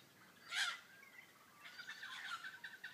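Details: An Australian ringneck at a birdbath in Araluen, Roleystone, gives one loud, harsh screech, then a quicker run of scratchy, repeated chattering notes.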